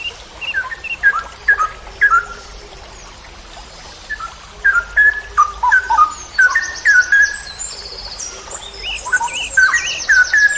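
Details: Straw-headed bulbul (cucak rowo) in a masteran tutoring recording for songbird keepers, in the long ropel style. Mellow whistled notes repeat in rapid bubbling phrases, with fainter high trilled chatter from other birds later on.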